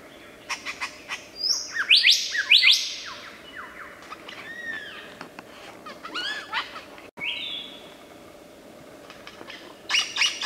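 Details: Lyrebird mimicry medley: a varied run of whistles, arching slurred notes, sharp clicks and buzzy bursts, each sound different from the last, with quiet gaps between phrases.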